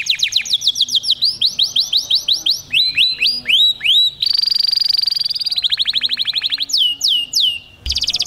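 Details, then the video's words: Male domestic canary singing Taghreed-style song to stimulate females: fast rolling trills of repeated notes, downward-sweeping whistled phrases, a long buzzy sustained trill near the middle, then sharp descending notes and a short final rattle, with no background sounds. "Canário macho Taghreed para processamento de fêmeas"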